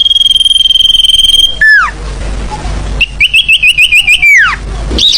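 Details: Sirfu call played as a lure to bring other birds down: a long, even, rapid trill on one high pitch, then a falling whistled slur, a wavering trill ending in a downward sweep, and a brief high note.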